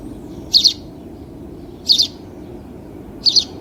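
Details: House sparrow calling with three sharp, high two-part chirps at a steady pace of roughly one every 1.3 seconds, set against a soft low drone.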